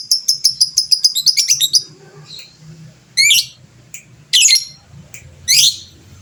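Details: Lovebird of a fighter type used to provoke rivals into calling back; a fast series of clipped high ticking notes, then three harsh squawky chirps spaced about a second apart.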